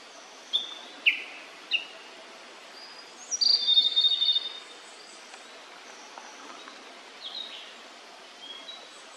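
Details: Immature blue-and-white flycatcher giving three short sharp notes, then a brief bright warbled phrase, followed by scattered faint high notes amid quiet ambient noise.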